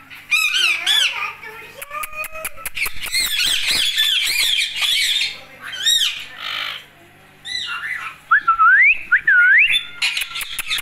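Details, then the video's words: Talking Indian Ringneck (rose-ringed parakeet) chatters in a raspy, speech-like voice, mixing harsh squawks with rising and falling whistled notes over a low hum. "Talking Talking Talking | Indian Ringneck"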